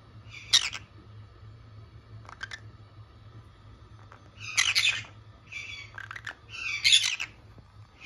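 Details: Green-cheeked conures, two kept as pets, uttering scattered rasping squawks and brief chatters separated by quiet gaps, louder toward the end, against a constant low hum.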